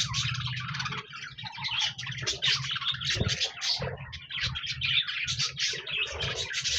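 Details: Several budgies, or parakeets, chirping and singing on 26 January 2024: busy overlapping chatter of short squeaky notes and buzzy trills, dipping briefly near the start and again around four seconds, with a low background hum.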